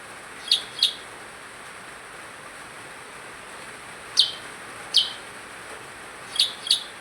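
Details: An actively calling percang gives crisp high chips, mostly in pairs, with longer gaps between the groups, against quiet background hiss.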